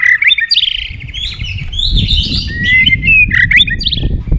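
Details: A white-rumped shama sings a competitive song: quick chains of rich whistles, chattering trills and upward sweeps following one another almost without pause, over steady low-pitched background noise.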